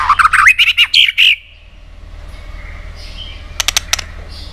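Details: White-rumped shama, one of many-voiced songs played to stimulate other shamas; a fast series of harsh, squawky rising notes at the start, then quiet, then a few crisp snapping clicks.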